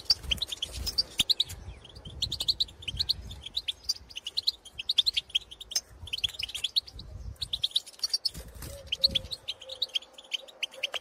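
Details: Several European goldfinches in the countryside call to birds of their own species: long stretches of bubbling, jingling twitter broken by short pauses, with low background rumble throughout.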